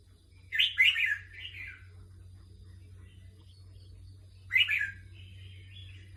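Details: Competition red-whiskered bulbul sings a loud, quick, bubbly warbled phrase followed by softer trailing notes. After about three seconds of steady low hum, a shorter, similar burst follows.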